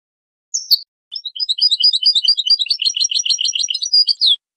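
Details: Goldfinch song from a chick-teaching recording: a sharp opening chirp, then a fast, continuous tinkling twitter of high notes at about two per second, ending with a drawn-out buzz; faint soft clicks underneath.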